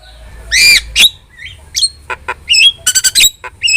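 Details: Energetic starling song used to tutor and provoke kept starlings: a loud harmonic squawk, a sharp chip, a quiet rising whistle, then clusters of clipped stuttering notes and buzzy squeaks.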